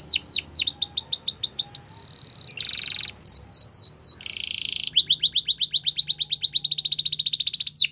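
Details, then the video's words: Morning song of a yellow canary: rapid chains of sweeping whistles alternating with harsh buzzy rolls and fast metallic trills, varied and continuous throughout. "Yellow Canary Singing In The Morning"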